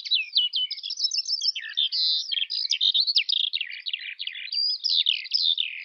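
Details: Rapid, ceaseless warbling of a Eurasian skylark: high chirps, slurred whistles and brief trills run together in a bright, jumbled stream.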